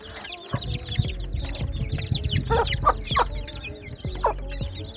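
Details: Chorus of baby chicks giving rapid high cheeping notes that rise and fall, several louder chirps near the middle, over a rumbling low background and faint steady tones.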